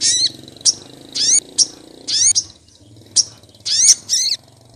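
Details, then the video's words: Female Olive-backed Sunbird calling to males, used as a lure for small birds in Pronojiwo, Lumajang: separate high, sharp downslurred chirps, singly or in quick pairs, over a soft low background hum. "suara pikat sogok ontong betina memangil jantan"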